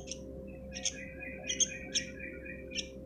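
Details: Sooty-headed bulbul chick calling: thin, high, sharp chirps repeated about every half second, six in three seconds, with a softer lower twitter between them over a steady low hum.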